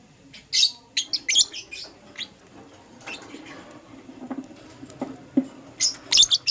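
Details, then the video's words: Green opaline and lutino lovebirds kept as pets, chattering in the morning: rapid runs of shrill, squeaky chirps in uneven bursts, louder clusters at the start and end, with softer rustling calls between. "Lovebird Chirping Sounds"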